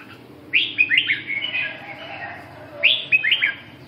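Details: Red-whiskered bulbul termed phong sơn, mí đỏ, rơm tê giác, siêu ché, singing a lively phrase of falling whistled notes that trails into a softer warble, then repeating a shorter version.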